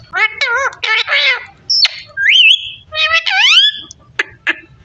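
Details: Parrot talking, opening with wavering speech-like phrases, then a sharp whistle, a rising-falling whistled glide, and more rising voice-like notes with clicks.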